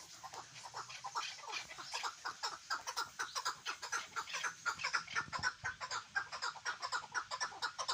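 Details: A chukar partridge kept for hunting delivers an insistent string of clucking chuck notes at about two per second, building in loudness toward the end, with faint low rumbling behind.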